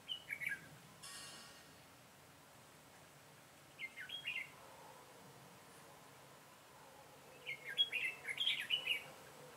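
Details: Red-whiskered bulbul at a trapping site, 22 September 2017: short whistled warbling phrases come in three bursts, the last longest, separated by quiet gaps, with low background noise and a brief buzzy rasp early on.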